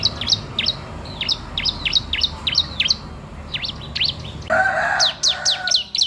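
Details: Bar-winged prinia singing as a training lure for young birds: quick, downward-sweeping high chirps in a fast, irregular series, with a brief broad noise near the end.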